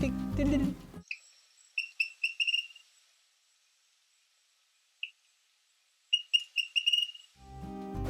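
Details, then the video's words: Pelzeln's Tody-Tyrant (Hemitriccus inornatus) of Amazonian campina near Manaus singing its diagnostic song: high, crystal-clear stuttering notes, "ti-tim ti-tiiiii", in quick bursts of three to five with a longer trill; speech at start and end. "O canto é completamente diagnóstico, é um gaguejado de tom agudo, cristalino. Ti-tim ti-tiiiiiii, ti-tim"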